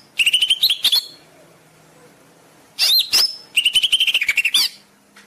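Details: Master song of a greater green leafbird for training caged birds: rapid chips with a twisting whistle, a silent gap, then slurred whistles and a long run of quick chips ending in a falling note.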